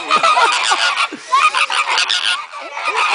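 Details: Captive flamingo flock at Sarasota Jungle Gardens in a noisy, excited chorus: many overlapping nasal, goose-like honks and grunts, some rising and some falling, packed densely and continuously throughout with no pauses.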